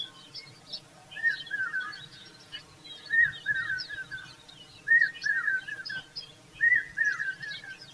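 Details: An Indian common babbler fanning air with her feathers to her chicks gives short bursts of warbling, whistled notes about every two seconds, over faint higher chirps from other birds and steady background noise.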